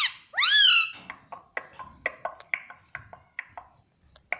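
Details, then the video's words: Talking parrot kept as a pet gives a falling then rising nasal whistle-like phrase, followed by a long string of soft, evenly spaced clicks and taps, indoors. "Talking parrot || Mitthu mitthu || Tota Tota"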